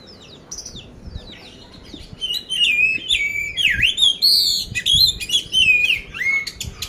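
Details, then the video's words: Oriental magpie-robin of the poci type, Magelang, Central Java, Indonesia, billed as competition-ready with a rough 'isian kasar' fill-in. Soft opening notes swell into loud bursts of swooping whistles, dipping slurs and clipped chirps, over quiet background hum. "poci gacor isian kasar"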